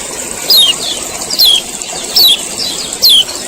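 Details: Male common iora giving 'ciak ciak' calls, used to prompt other birds to sing: four sharp, high, downward-sliding chirps about once a second over a steady high hiss.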